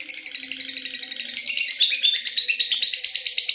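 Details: Night-time ngekek from a lovebird: shrill, rapid-fire chattering poured out without a break, pulsing quickly and growing a little louder midway, faint low tones audible underneath.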